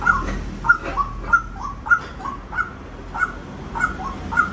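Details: A white-breasted waterhen calls in a steady series of about nine short, harsh notes, each followed by a lower slurred tail, spaced roughly every 0.6 seconds above a low rumble.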